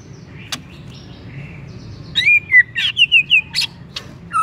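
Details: White-rumped shama song serving as a provoking lure for another shama: faint soft notes give way to a loud run of rich, wavering whistles and squiggly phrases with sharp clicks between them.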